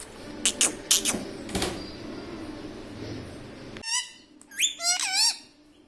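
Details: Talking parrot kept as a pet: rattling clicks and taps at first, then a burst of short harmonic, bending voiced syllables like spoken words.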